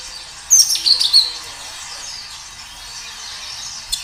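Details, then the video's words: A singing kinoi recorded outdoors gives one brisk phrase of shrill chirps and thin whistled notes lasting under a second, followed by quiet hiss and faint distant twittering. "Suara kinoi gacor"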